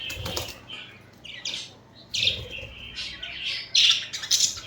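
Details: Pet budgerigars cuddling and squabbling together give busy, grating chatter. Soft chirps build into louder squawking bursts in the second half, with a steady low hum behind.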